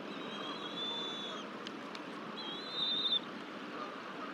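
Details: At a Decorah, Iowa nest, a father bald eagle feeds his chick on 24 April 2023. Two drawn-out, high, slightly wavering whistles come a second apart, over constant soft background noise.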